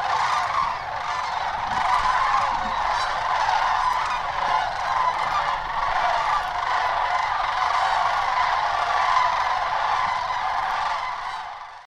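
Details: Sandhill cranes in and around the Hiwassee Wildlife Refuge, Birchwood, Tennessee, January 16, 2013: a massed, continuous chorus of overlapping rattling trumpet calls for about eleven seconds, fading out at the end.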